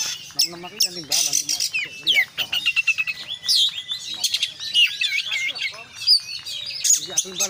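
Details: Energetic kacer song of the 'konslet full isian' type from an Oriental magpie-robin: varied chattering trills, scratchy bursts and clear rising whistles follow each other without pause, with a few lower warbled notes.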